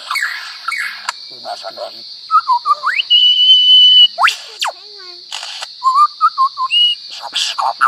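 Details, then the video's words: A lyrebird, used as a mimicry tutor recording for cage birds, runs through a jumble of borrowed notes: clear rising whistles, a level piping tone, sharp sweeps and chattering phrases, over a steady high insect-like hiss. "Lyrebird ❗BURUNG ISIAN SUARA BISA MENIRUKAN APA SAJA"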